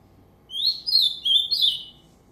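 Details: Ultramarine grosbeak from a breeder, giving a short, clear warbled phrase of slurred whistled notes that rise and fall over about one and a half seconds; otherwise quiet.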